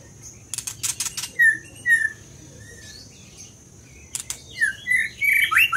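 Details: Bursts of sharp clicking, then two separate clear whistles from a scarlet minivet. After another click burst, a rising run of bright, slurred whistled notes builds toward the end.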